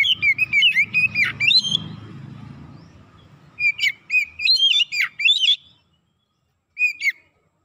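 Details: Oriental magpie-robin lure song used to provoke other birds: loud clear whistled phrases with sharp rising and falling notes in bursts, a pause with low background rumble, then a final short phrase.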